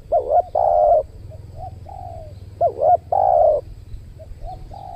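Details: Spotted dove cooing while being lured with a trained decoy dove at a new spot in the Riau Islands, Indonesia; two clear phrases, each a rippling double note then a long level coo, with quieter coos between.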